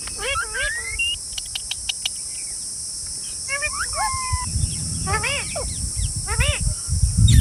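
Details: Green parrots utter scattered screechy rising calls and short sharp clicks over a constant high hiss. Low background rumble grows toward the end.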